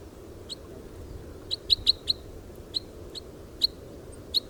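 A red crossbill gives sharp, high, clipped notes, about ten in four seconds at an uneven pace, some in quick pairs, over a low steady rumble.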